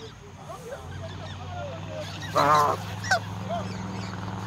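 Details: Geese, part of a flock of more than a hundred, being fed in the countryside; one loud harsh honk stands out, followed by a short sharper call, with softer calls and background murmur around.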